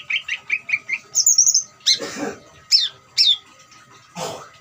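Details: Greater green leafbird trilling song played to make other birds sing: a run of quick chirps, then a high buzzy trill, sharp whistled downslurs and two broad noisy rasps.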